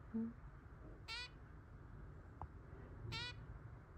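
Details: A newly adopted zebra finch chick, meeting older pet birds indoors on its first day, gives two short, nasal, buzzy calls about two seconds apart over a low indoor hum.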